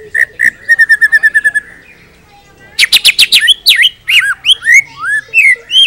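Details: White-rumped shama in full song for training other birds: a run of rapid, evenly spaced whistled notes, a brief pause, then loud buzzy bursts and swooping, rising and falling whistles.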